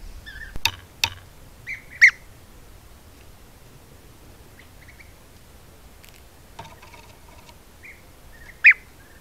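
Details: European bee-eater from a colony of about 20–30 visiting an apiary at Corte Franca, Italy, caught by camera trap: a few short, rolling, liquid mid-pitched calls a couple of seconds apart, with sharp clicks and knocks between.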